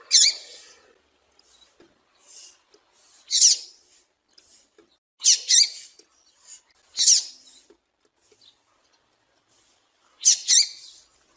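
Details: Female Double-collared seedeater calling, a call used to excite and warm up males kept for singing tournaments; short, high, harsh chip notes given singly at irregular intervals, about seven over eleven seconds, with near silence between.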